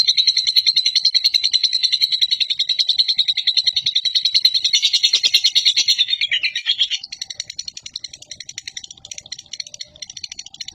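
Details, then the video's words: Long ngekek from a chatty champion lovebird, intended to stimulate pet lovebirds: loud, rapid, shrill chatter for about seven seconds, then it thins to quieter, scattered clicking notes. "Love Bird Cerewet Ngekek Panjang"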